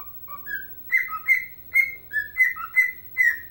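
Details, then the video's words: Pet bird, a dancing fan of the Chicago Blackhawks, whistling its rendition of Chelsea Dagger: clear tonal whistled notes that step between lower and higher pitches in a bouncy, repeated phrase, with soft low room hum underneath. "Singing and Dancing Ike Bird"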